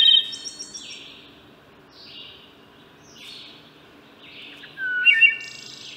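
Wood thrush song: clear, flute-like phrases with trilled, buzzy endings, given every second or so, high and ringing over a faint background hum.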